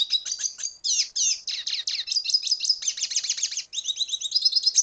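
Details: Red siskin, Venezuela, delivering a rapid unbroken stream of high twitters, buzzy trills and repeated chattering notes for nearly five seconds, with nothing else audible.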